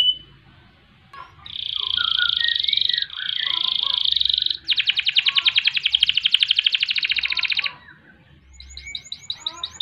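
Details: Long canary song meant as a tutoring and provoking recording, in ngerek, ngerol and nembak style: sustained buzzy rolls, a rapid pulsed trill lasting about three seconds, then faint quick chirps.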